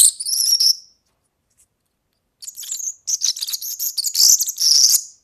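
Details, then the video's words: European serin singing, a recording for tutoring young birds: a short shrill buzzy phrase, a pause, then a long, rapid, squeaky jingling warble with high fizzing trills. "ΦΩΝΕΣ ΑΠΟ ΟΡΓΑΝΕΛΙ EYROPEAN SERIN"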